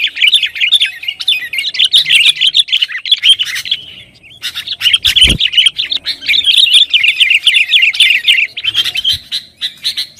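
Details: Sooty-headed bulbul delivering long, dense gacor song to stir rivals: fast chattering warbles in two extended bursts, separated by a brief lull and a single thud.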